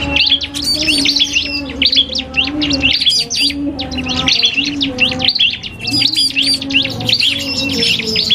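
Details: Duel between an iora (cipoh kristal) and a prinia, recorded for training cage birds: rapid twittering chirps in three bursts with short gaps, set over a faint, continuous low tone.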